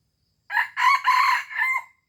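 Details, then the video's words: Wild-type red junglefowl from Aceh in a lure recording: one complete crow of four linked parts, rough and loud in the middle and fading on a sliding final note, against a silent background. "Ayam Hutan Aceh * Pikat Hebat Ori"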